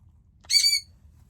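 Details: A pet Sun Conure gives one harsh, piercing, grating screech of about a third of a second in a quiet room early in the morning. It is an alarm bird that screeches when it hears or sees someone come near.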